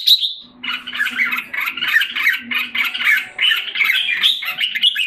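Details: Singapore captive red-whiskered bulbul recovering after molting, July 2017: a short high whistle, then a nonstop rapid chattering warble of squeaky, scratchy notes over a low steady drone.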